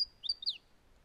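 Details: Sacred kingfisher in south-eastern Australia, arriving in spring, gives a quick burst of three or four sharp, high 'kek' notes in half a second, then falls quiet; this strident call marks a pair setting up a breeding territory.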